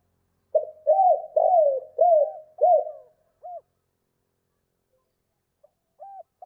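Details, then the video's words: Cooing spotted dove in the 2 cốt and thúc lợi cốt styles, meant to provoke wild birds (kích bổi): five rolling, downward-curving coos in quick succession, then sparse short hooked notes after silence. "Chim cu gáy 2 cốt và thúc lợi cốt kích bổi"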